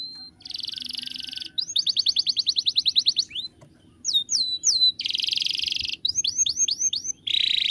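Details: Domestic canary singing a master song for bird training: high buzzy rolls alternate with fast, evenly spaced trills of sweeping notes, then short groups of downslurred whistles and another buzzy roll.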